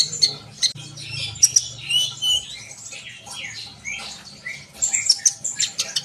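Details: Energetic high twittering from a sunbird, wavering trills and quick chips, briefly quieter in the middle before picking up again over a faint low hum.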